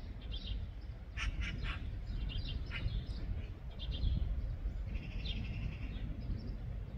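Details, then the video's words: Eurasian magpie (Pica pica) on 14 June 2024 giving a few harsh, rasping chak calls in quick succession, with faint higher bird twitter and a steady low wind rumble. "Pica pica SRAKA"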